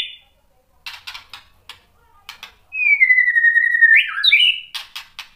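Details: White-rumped shama singing to provoke other shamas: scattered dry ticking clicks, then one long descending whistle that breaks into a twisting complex note, followed by more clicks.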